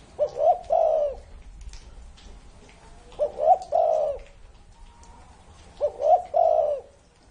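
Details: A spotted dove aged over thirty years repeats its song three times, about every three seconds. Each phrase has two short rising notes, then a longer, rolling, throaty coo.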